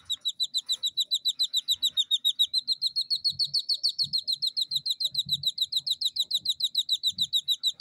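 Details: Captive jungle bush quail chicks aged two days in the UK give a steady stream of high whistled peeps, around three and a half per second, rising gently in pitch partway through; quiet taps underneath.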